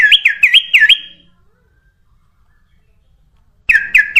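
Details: Sooty-headed bulbul song played as a lure for other birds: four rapid, rolling looped notes, a silent pause, then two more of the same bright, bouncing notes.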